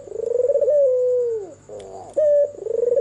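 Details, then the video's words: Cooing of a white, red-eyed albino Barbary dove at night: a pulsing coo smoothing into a long falling tone, a soft murmur, then a crisp high note and another pulsed coo starting, with faint whine throughout. "SUARA MERDU BURUNG PUTER PUTIH MATA MERAH MANGGUNG DIMALAM HARI"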